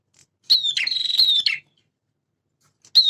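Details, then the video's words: High, rasping trill lasting about a second from a male prinia in full song, introduced by a sharp note and followed by silence, then the start of another phrase. The song mixes prenjak semi and klawu styles. "PRENJAK JANTAN GACOR"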